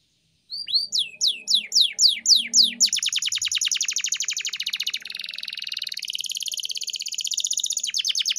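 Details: Canary song for training pet birds: after a short silence, rising then swooping whistles about every third of a second, turning into an extended rapid trill and rolling buzz to the end.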